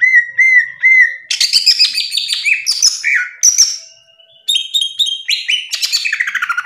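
A greater green leafbird sings a rapid, varied medley of clear whistles, slurred rising and falling notes and buzzy chatters, shifting phrase every second or so.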